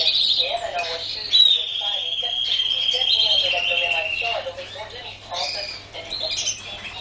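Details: Canary singing loudly: a long, rapid, rolling trill at high pitch, followed by choppy chirps and brief whistled phrases; steady faint low hum underneath.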